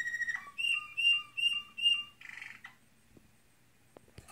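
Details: American Singer canary in training sings a sharp note, then four paired whistled phrases about every third of a second, a short buzzy burst, then quiet with a few clicks and a low hum.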